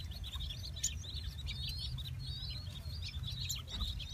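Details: A brood of eight 4-day-old king quail chicks, the second clutch of the breeding season in silver and normal varieties, peeps continuously with many thin, high chirps overlapping rapidly over a steady low hum.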